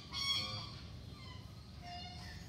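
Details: A male Indian peafowl displaying its train at Karanji Lake, Mysore, gives a single loud, nasal, harmonic-rich cry lasting under a second, followed by fainter thin whistles of other birds over a low background rumble.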